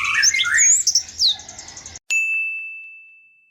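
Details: White-eye ngalas ngerol rolling song for two seconds, quick high twitters and slurs over lower whistled notes, cut off abruptly and followed by a sustained electronic ding tone fading away.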